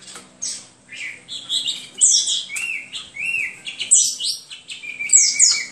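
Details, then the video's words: Hwamei singing a rich, continuous song of varied whistled and slurred phrases, rising and falling notes tumbling quickly one after another with sharp high accents, loud throughout with brief pauses between bursts; faint low hum underneath. "HWAMEI SINGING"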